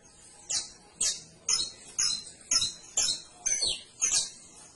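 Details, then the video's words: Canary singing: a run of eight bright, high chirped notes, each a quick downward-sweeping burst, spaced about half a second apart over faint background hiss. "CANARIO CANTO - 21 MINUTOS DEL AVE CANTANDO"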